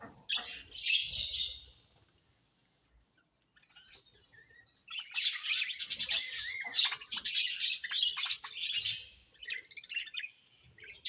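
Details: Several budgerigars chatter in bursts of high, scratchy warbling and rapid chirps, a quiet gap early on before the flock's busy twittering resumes and swells.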